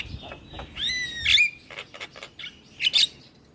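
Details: Black-winged starling in full song, a captive bird whose voice serves to coax quiet starlings: a long clear whistle rising into a ringing note, then scattered rasping clicks and a bright double whistle near the end.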